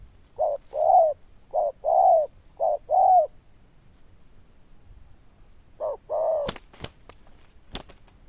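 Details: Loud, bell-toned cooing from a Zebra dove: two bouts of soft, warbling coo notes alternating short and longer, a pause between bouts, followed by several sharp knocking clicks.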